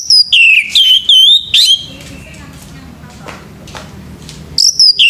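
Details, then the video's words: A male orange-headed thrush's morning song: a quick series of sweet descending and level whistles, a few seconds of faint background murmur, then a fresh phrase begins. "SUARA ANIS MERAH PAGI HARI"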